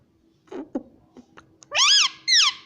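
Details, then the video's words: Rose-ringed parakeet kept as a pet, saying "mummy": soft low mutterings and clicks lead into two loud, raspy, falling syllables, the second after a brief pause. "Parrot Talking Mummy Mummy | Bolne Wala Tota"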